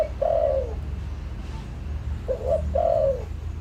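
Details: Lure spotted dove calling, a long falling coo followed after a pause by a quick coo and another drawn-out descending coo, with a low hum underneath.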